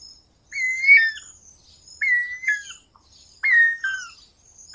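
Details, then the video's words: Guira cuckoo song: three loud whistled phrases roughly 1.4 seconds apart, each a level note followed by a lower falling note, over faint high-pitched chirps of other birds. "Anu branco,Guira guira, cantando -canto do anu branco"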